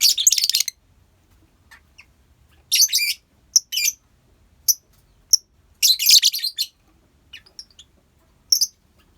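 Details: Lovebirds kept as a colony for bird therapy, giving bursts of dense shrill chattering mixed with single sharp high chirps.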